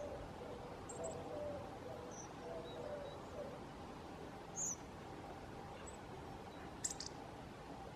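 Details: Hawfinch (Coccothraustes coccothraustes) giving a few sharp, high, clipped ticks, spaced irregularly over several seconds, above a steady low hum and faint background rustle.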